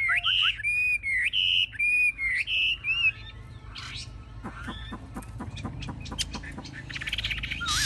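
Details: A Chinese hwamei, an aggressive fighting bird, perched high with tail fanned, sings loud, clear whistled phrases, about eight in three seconds, then shifts into quieter, scratchy, clicking notes and varied chatter.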